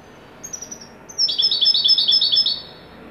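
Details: Moroccan European goldfinch singing in widani style: after a few high thin notes, a fast twittering run of bright repeated chirps, about three per second-quarter, in a lively burst against faint room hiss.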